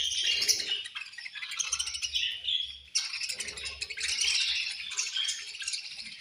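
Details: Budgerigars at feeding time, a flock chattering with dense, scratchy warbled chirps and rattling squeaks in steady overlapping streams, bursts louder around the start and middle, with faint low clatter from the cage.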